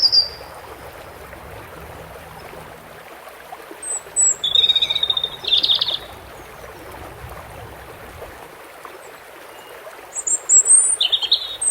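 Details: European robin with water sounds: two widely spaced song phrases of thin high notes and short trills, with steady running water filling the background.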